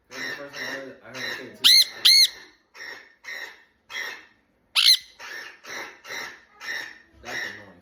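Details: A pet sun conure reacting on hearing his own kind gives loud, piercing screeches among a run of shorter, chattering squawks.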